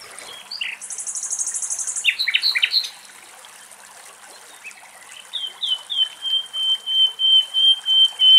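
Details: A male and a female common linnet drink running water from a spring at a forest edge in Greece, giving buzzy dry trills and quick twittering chirps, then a run of about a dozen clear whistled notes, with nightingale song added, over trickling water.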